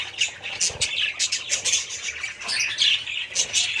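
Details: Budgerigars calling in short bursts of high, harsh squawks and chirps that rise and fall every half second or so, with a brief low thump near the start.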